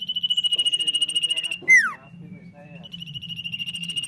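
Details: Common iora singing vigorously: a long, evenly pulsed trill held near one high pitch, broken by a loud sweeping note that slides steeply downward, then the pulsed trill resumes; steady low hum underneath.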